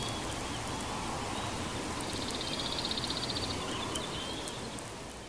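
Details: Bald eagle chortling at its nest in Big Bear Valley at sunset on 2021-05-28: a quick run of thin, high, evenly pulsed notes lasting about a second and a half, set against a steady background hiss.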